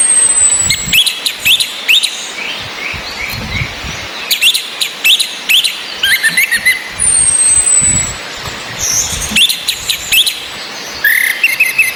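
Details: Orange-headed thrush female whistling alongside a male singing over rain, intended to spur breeding drive and full song in males: busy bursts of high chirps, long thin descending whistles, continuous rain hiss.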